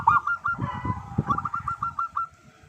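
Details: Brief burst from a singing local zebra dove, used as a calling lure: a fast series of short, bell-like coos at steady pitch, about five per second, over noticeable low thumping background noise.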